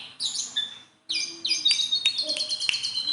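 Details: Hand-tame Sunda bulbul singing a brief phrase, falling silent for a moment, then resuming with sharp, high whistled notes and quick clicking chatter.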